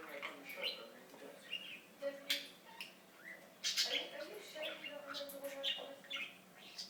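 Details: A pet budgie talks in a continuous stream of murmured speech-like syllables, scratchy chirps and sharp clicks, rising to a louder burst midway.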